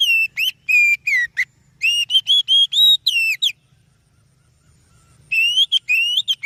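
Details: An oriental magpie-robin delivers a song used for luring other birds: rapid strings of loud whistled notes, some rising, some swooping down, broken by a two-second silence before another fast rising series.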